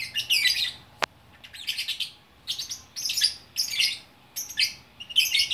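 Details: Lovebird in Bukittinggi, West Sumatra, singing in the lively gacor style: bursts of harsh, buzzy chattering notes high in pitch, delivered in clusters about every half second with short gaps, plus one sharp click near the start.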